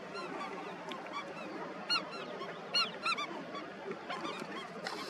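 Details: Indian skimmers at a colony, with quieter spells broken by short bursts of sharp nasal yelps, a few close birds standing out from a murmuring background.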